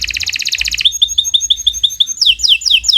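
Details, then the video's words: Kenari Nusantara canary in a continuous training song, moving from a rapid buzzy double-noted trill to clear evenly spaced chips about eight per second, then quick descending slurs. "Kicau Burung Kenari 116 II GACOR PANJANG"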